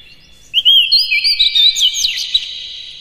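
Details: Brief burst of Oriental magpie-robin song in the morning, played to stimulate captive birds: sweet slurred whistles that run into a rich, jumbled warble.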